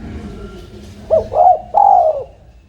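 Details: Spotted dove, tame, calling once after a quiet pause with faint low background hum: a quick soft coo, a rolling middle note, and a longer sustained final coo that sags slightly in pitch.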